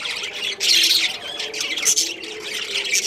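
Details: Breeding pair of budgerigars, Australian parrots: harsh, scratchy high squawks in two loud bursts, near the start and again near the middle, over a steady bed of softer chatter.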